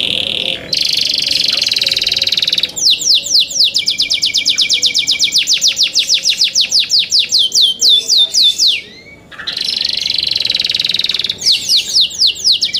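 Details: Loud song from young captive canaries: buzzy rolled trills alternate with long series of rapid downslurred chips, broken by one short quiet gap before the trill resumes.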